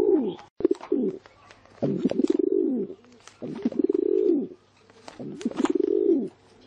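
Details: Pigeon cooing repeatedly, deep rolling purrs that swell and fade, about five phrases with short pauses, over light clicking background noise.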